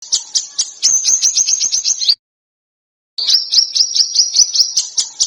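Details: Bird song used as masteran, a tutor recording for contest birds, in a dense, harsh screeching style full of sharp bursts: two runs of rapid, high, shrill trilled notes separated by about a second of silence.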